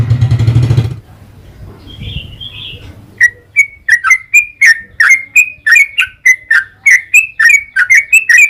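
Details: Sooty-headed bulbul in a long, rapid-fire lure song: after a loud low rumble in the first second, quick whistled notes with sharp drops start, tumbling nonstop about four per second.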